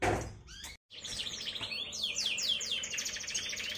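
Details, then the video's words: Three-month-old caged canary singing; after a loud thump and a brief gap, a run of quick downward-sweeping whistled notes builds into a steady high buzzy trill. "MASTERAN KENARI PAUD AGAR NGRIWIK PANJANG"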